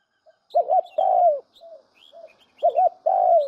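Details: Spotted dove cooing as a decoy call for trapping: a rapid two-note hiccup followed by a sustained, slightly falling coo, heard twice, with faint thin chirps in between.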